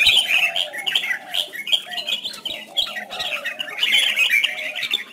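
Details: Red-whiskered bulbul performing competition song, played to stimulate other bulbuls: a continuous stream of quick, chirpy warbled phrases with a steady low whistled undertone.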